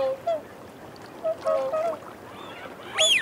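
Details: Whooper swans feeding on a bank call to reassure one another: a few scattered short, nasal honks, then a louder, rising trumpeted note at the end.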